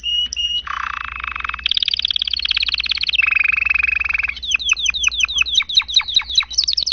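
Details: Energetic domestic canary song: dense rolling trills and rattling buzzes shift between pitches, then give way to a rhythmic series of sweeping down-slurred whistled notes repeated several times a second; a steady low hum sits beneath.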